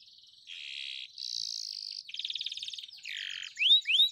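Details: Morning canary lure song for a quiet bird: sustained buzzy rolling notes held for half a second each, shifting pitch between blocks, ending in two bright rising whistled sweeps.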